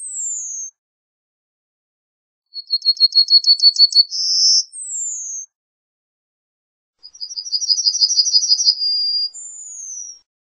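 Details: Yellowhammer singing: a descending high whistle, then a rapid series of about a dozen short, thin, repeated notes ending in a sustained buzzy note and a falling drawn-out whistle, with a second phrase of rapid notes and a long note later. No other sounds.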